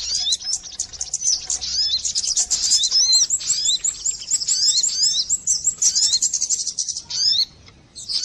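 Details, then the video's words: Sogon bird lure call: rapid, shrill chittering and repeated quick whistle slurs forming one long flowing run that fades near the end. "suara pikat burung sogon"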